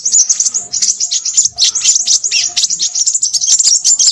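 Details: High, rapid and scratchy twittering from a Crimson sunbird, about four notes per second in an uneven, lively stream.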